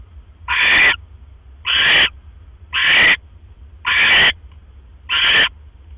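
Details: Night at a barn owl nest, 12 October 2015, as the male delivers another mouse; five drawn-out, breathy rasping screeches spaced about a second apart against a quiet low hum.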